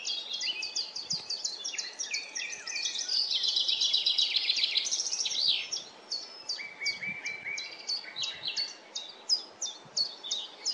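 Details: A chaffinch sings in woodland. A dense, accelerating cascade of high, sharp notes drops in pitch and ends in a flourish after about five seconds. Softer, repeated short high chirps follow in the background.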